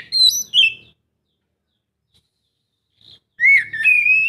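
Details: Oriental magpie-robin song meant to coax a quiet bird: a bright whistled phrase, a long silence, then a rising whistled run, with a low background hum during the loud parts.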